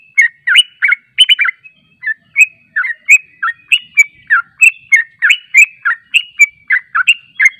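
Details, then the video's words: Chattering yellow-vented bulbul song intended as a lure so birds answer at once: clusters of quick bubbly notes, then a regular stream of clear, swooping whistled notes, roughly three per second. "PANCINGAN TRUCUK JANGAN Di Ragukan Langsung Nyaut"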